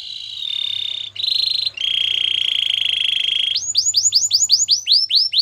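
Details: Canary song for training: long steady whistled tones held for about a second each, then a quick series of bright curved notes repeating several times per second.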